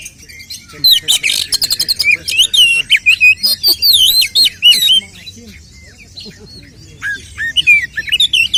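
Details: Oriental magpie-robin giving fighting song to provoke other males: a dense run of fast clicking trills and loud wavering whistles for five seconds, then quieter scattered notes.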